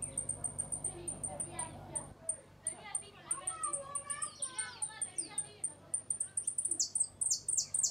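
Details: A hooded siskin sings a repique-golpe-pito style song: a fast, rambling twitter of very high, thin ticking notes mixed with lower warbled phrases, ending in bright piping bursts over a faint low hum.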